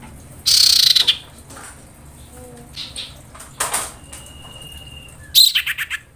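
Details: Female common iora in breeding condition calling for the male opens with a rapid high trill. Scattered soft notes, a brief flutter-like rustle and a thin steady whistle follow, then a final descending run of quick notes.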